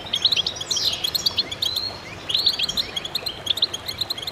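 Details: Chorus of goldfinches singing together: dense, fast twittering of bright, tinkling notes with short buzzy slurs, the bursts overlapping and pausing briefly near the middle.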